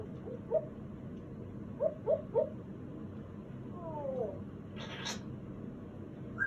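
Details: Congo African grey parrot, a 35-year-old female kept as a pet, chattering in the evening: short tonal chirps near mid pitch, a few falling whistled slurs, and one broad noisy burst, over a steady indoor hum.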